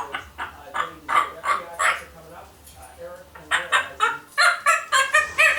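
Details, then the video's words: One-year-old pet female African grey parrot chattering mimicked phrases indoors; rapid strings of short voiced syllables, about three or four per second, pausing briefly before a louder, bright run. "1 year old African Grey Parrot, Nala, just blabbering"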